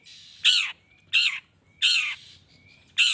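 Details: Long-tailed shrike giving a provoking call to get other shrikes answering: four loud, scratchy, downward-sliding rasps in quick succession, with a faint whistle between them.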